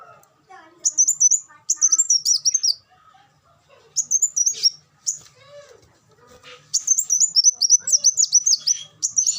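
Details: A tutor recording of a black sunbird: several bursts of very high, fast, jerky twittering notes with softer, lower chirps in the quieter gaps.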